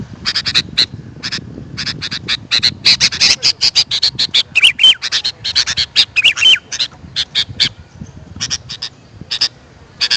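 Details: Sooty-headed bulbul calls: irregular bursts of harsh, chattering squawky notes, loud and high, clustered in quick groups with short pauses, over a steady low background rumble.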